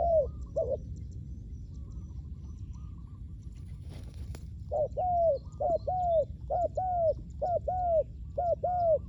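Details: Spotted dove used for luring wild doves at ground level: after a quiet start with a brief clatter, low two-part coos begin and repeat steadily, a short note followed by a longer arched one, about once a second.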